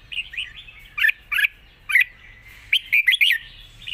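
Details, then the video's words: Red-whiskered bulbul in its cage, singing a long song with rik: loud liquid chirps at steady gaps, then a quick closing flourish of warbles. "ปากเบา+ร้องง่าย เพลงยาวมีริก"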